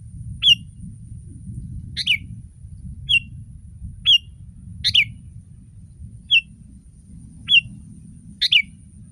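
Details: Sooty-headed bulbul singing as a model for other bulbuls to copy; short sharp whistled notes repeated about once a second, some doubled and buzzier, above a constant low rumbling background.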